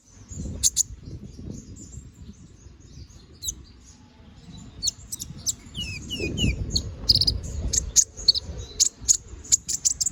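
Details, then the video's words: Energetic gacor ngobra canary song, a tutor recording for teaching magpie robins: scattered piercing high chips, then a faster run of downward-sweeping whistles and clicks that builds toward the end, with low background rumble. "Suara BURUNG KENARI GACOR NGOBRA! Cocok untuk masteran"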